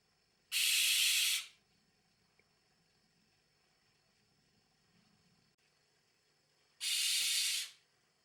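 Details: Two separate loud, rough hissing bursts from a barn owl (Tyto alba), each about a second long, roughly six seconds apart, with quiet and a faint insect trill between them.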